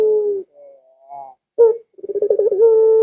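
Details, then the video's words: Barbary dove heard in a lure recording for pet doves. The end of a level coo, faint upslurred notes, a sharp brief note, then a stuttering series of quick pulses rising into a fresh steady coo. "Suara Burung Puter Ini Memikat Puter Anda Dirumah Sehingga Ikut Bunyi"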